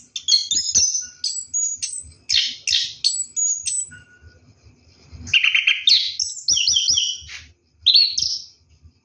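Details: Orange-headed thrush in a night bath, singing rolling runs of high sweeping whistles and trills in bursts separated by brief pauses.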